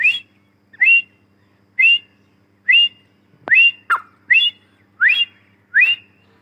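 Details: Female grey francolin, called Dakhni teetar, giving short rising whistled call notes repeated about every three quarters of a second, with a sharp click partway through.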